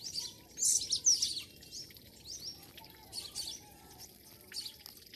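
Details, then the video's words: Birds singing in the morning in rural Pakistan, with scattered bright, high twitters and sharp upswept chirps arriving in loose clusters, separated by quieter pauses and faint background noise. "morning sound of nature and birds"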